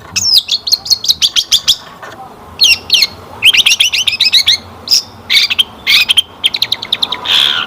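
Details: Long-tailed shrike singing nonstop, played to prompt other shrikes to answer: rapid trains of high chattering notes separated by short pauses, ending in a longer harsh buzzy note.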